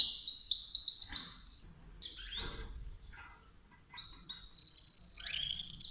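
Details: Softer Mosaic canary phrases: a quick run of chirps, scattered broken notes and rustling, then a long even high-pitched trill holding steady to the end.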